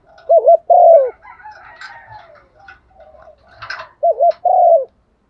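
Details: Female dove, used as a decoy, cooing to call in a male. Two phrases, each a quick wavering double note and then a long falling coo. Faint chatter and scattered higher chirps fill the middle between them.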